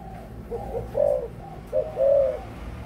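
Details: Adult spotted dove giving one full coo phrase: two soft short notes, then a loud drawn-out coo, a brief pause, a quick note and another long, even coo. The background is quiet.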